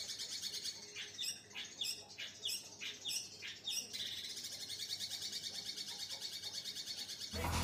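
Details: A young long-tailed shrike (cendet) in Situbondo, East Java, recently out of juvenile plumage, gives a string of sharp, sliding notes about three per second, then breaks into a harsh, rapid chattering run over a low hum.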